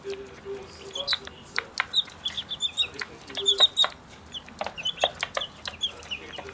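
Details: Pekin bantam chicks raised from eggs in a primary school classroom, enjoying their first day outside in the sunshine: short, high peeps scattered throughout, with lower voices and background noise.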